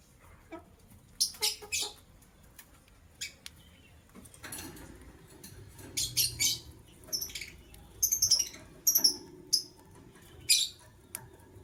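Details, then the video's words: A matched couple of white lovebirds chirping in the morning: harsh, high, scratchy bursts come in irregular clusters of short notes, separated by quiet gaps, with faint rustling in between. "White LoveBird Chirping Sounds"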